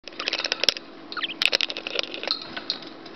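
Budgerigars chatter in a fast, scratchy run of clicks, ticks and short high chirps, with a faint steady hum beneath.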